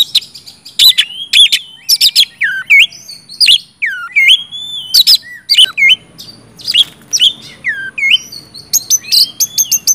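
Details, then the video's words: Oriental magpie-robin in loud, nonstop 'gacor ngeplong' singing, offered to prompt silent or reluctant magpie-robins to sing; varied whistled phrases with sweeping rising and falling slurs mixed with sharp high chips, no other sounds. "kacer gacor ngeplong,sangat cocok buat pancingan kacer macet"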